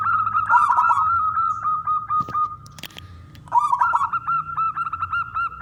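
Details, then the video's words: Local wild zebra dove singing loudly to prompt other doves to sing: fast pulsed coos on an even pitch, a softer stretch with faint clicks, then the rapid rolling cooing resumes strongly. "perkutut lokal gacor suara besar"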